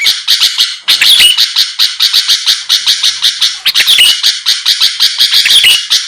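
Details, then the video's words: Sooty-headed bulbul song played as a lure to provoke a quick response from rival birds: harsh, chirping notes repeated rapidly, about three per second, with two brief bursts of brighter whistled flourishes. "pancingan Suara burung kutilang gacor⁉️lawan langsung merespon cepat"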